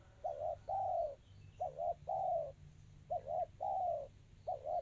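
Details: Spotted dove in the 'kristal' song style, delivered close and fast: a clipped two-part coo then a drawn-out descending hoot, the phrase recurring at a steady pace against a faint low rumble.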